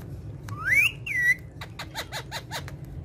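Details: Pet parrot from a family of parrots playing on a charpai, giving two loud rising whistled notes followed by a quick series of six short dry clicking chirps.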